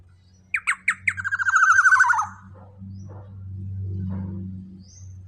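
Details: Large-bodied black-naped oriole with a loud voice: three or four separate nasal notes, then a fast buzzy series of rasping notes sliding gently downward for about a second, over a steady low hum.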